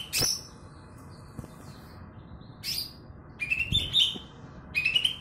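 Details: Greater green leafbird, a kebo-type former contest bird, gives scattered harsh notes and faint whistles, then short loud bursts of rising whistled notes near the end.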